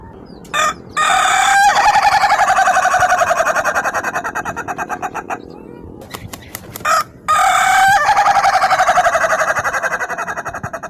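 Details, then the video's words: Two long laughing crows from an Ayam Ketawa chicken, each a sustained chain of fast, regular staccato pulses lasting several seconds, with a quieter pulsing pause between them. "Suara Kokok Ayam Ketawa yang Lucu dan Unik"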